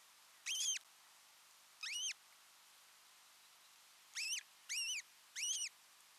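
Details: An osprey pair at their Finnish nest in Satakunta, alone together for the first time on 6 June 2023; scattered arched whistles, one, then one, then a quick group of three.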